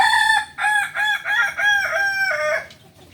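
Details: Kukuak balenggek rooster, a native chicken of Solok, West Sumatra, rated special class; one long stepped crow of about six linked syllables over two and a half seconds, ending in a falling tail.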